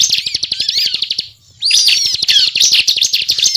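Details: Bar-winged prinia (ciblek) singing a rapid, continuous chattering song meant as a trapping lure; busy high twitters and slurred notes break off for a silent half-second midway, then return loudly with sharp rising whistles.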